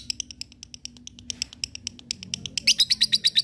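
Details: Lovebird in ngekek style, used to provoke rivals and train fighting birds: rapid run of sharp high chirps that speeds up and grows louder and buzzier toward the end.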